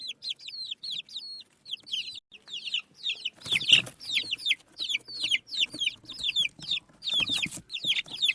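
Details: Baby chicks chirp continuously in short bright falling peeps, about two or three a second, with loud scraping bursts midway and near the end.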